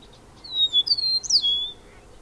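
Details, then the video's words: Bobolink producing clear, high whistled notes, gliding with quick upward and downward slurs, lasting just over a second in a quiet setting. "Bobolink calls and songs"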